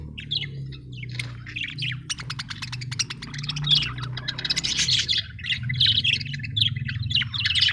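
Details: Happy budgerigars chirping: dense, fast chatter of scratchy warbles and clicky ticks, growing busier and louder after the first few seconds, over a steady low mechanical hum.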